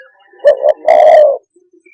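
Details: Spotted dove giving a single low cooing phrase: two short hoots followed by one longer, slightly wavering coo, all in a clean, quiet setting.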